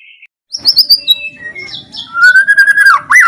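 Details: Loud white-rumped shama song used to spur other shamas into song: a brief high note, sharp clear whistles, then a long steady whistled trill ending in a twisted upslur.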